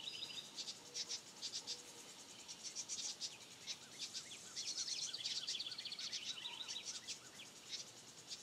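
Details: Young house wrens chirping almost continuously in a busy chorus of high, rapid, scratchy notes, swelling midway and then tapering, with a low steady background hiss.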